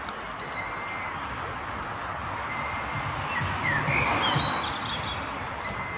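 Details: Young Long-eared Owls giving their persistent evening begging whistles from trees in the town of Martin: drawn-out squeaky whistles with bright overtones, in bursts about a second long, repeated several times over soft background music.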